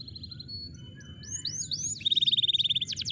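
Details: Canary song offered as a lure to get canaries that have stopped singing to sing again: faint high thin whistles, then upward-swept notes and a fast, even, high trill with rapid pulses near the end.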